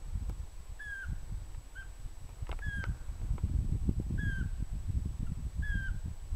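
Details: Pygmy owl calling with brief pure whistles that dip at the end, about five notes spaced roughly one second apart, one softer, over a loud low rumbling background and a faint steady high tone.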